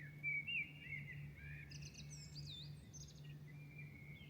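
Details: Milan birds singing at dawn: a loud, sweet warbling phrase opens, followed by rapid twittering and looping high whistles, with several voices overlapping above a steady low hum.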